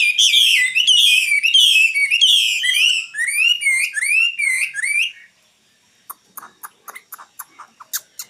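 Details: Common nightingale in 2016 sings a five-second series of loud, high, repeated slurred notes that descend slightly, then falls silent except for faint scattered clicks.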